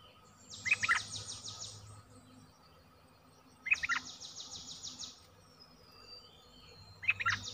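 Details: Streak-eared bulbul giving a short bubbly phrase of quick liquid notes, repeated about every three seconds, each followed by a loud rasping buzzy insect trill higher up; a steady low hum runs underneath.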